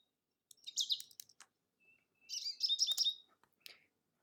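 American Goldfinch song: a rapid jumble of high, bright twittering and sweet warbled notes in two bursts, with a thin buzzy note between them.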